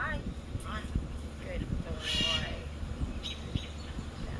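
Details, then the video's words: A pet Common Raven, a mimic coaxed to say hello, gives hoarse, speech-like imitations: short, throaty syllables with a louder, rasping phrase midway. A person's voice coaxes it, with low background rumble. "RAVENS Can Now Talk"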